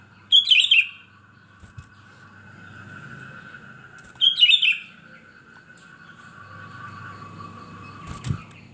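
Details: Sooty-headed bulbul in lively, chatty song: two short bubbly, warbled phrases about four seconds apart, each a quick cluster of rolling whistled notes, over a faint steady hum and low background rumble.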